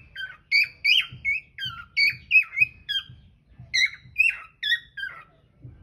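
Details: Cockatiel filmed on a hidden camera singing short, bright whistled notes that dip and waver, in irregular quick runs with short silences between.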